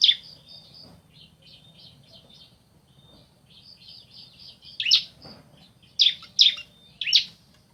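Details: Male and female bar-winged prinia answering each other: a long stretch of soft, quiet high notes, then four loud sharp chips toward the end.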